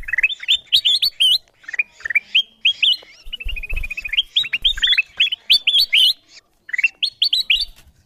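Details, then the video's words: Kutilang emas bulbul lure chirps for attracting wild birds: long string of sharp, upslurred notes in clustered bursts separated by short silences. "Suara pikat kutilang emas memanggil burung liar"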